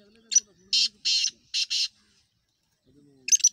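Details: Black francolin calling once: a clipped note followed by four loud scratchy syllables, with a low hum-like voice before and after.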